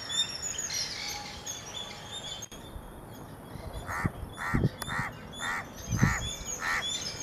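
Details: Grey francolin (Francolinus pondicerianus) calling: a series of loud, harsh, ringing notes, about one every two-thirds of a second, after faint chirps from small birds, over low rumbling background noise.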